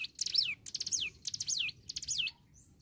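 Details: Hill prinia (ciblek gunung) in full, vigorous song: four even phrases, each a quick stutter of high thin notes running into a sharp whistle that falls and then flicks upward, delivered about every half second.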